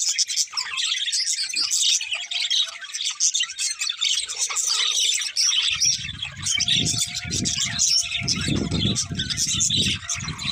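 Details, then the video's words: A budgerigar pair keeps up a busy high warbling chatter of squeaks and tweets; from about halfway a loud low rumbling noise joins beneath the calls, with a faint steady tone. "Cute Budgies Chirping Sounds"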